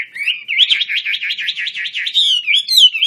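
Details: A wing-spreading Chinese hwamei of the wambi kembang kind gives a fast, rolling, trilled warble that wavers up and down continuously, ending in higher, bright whistled notes.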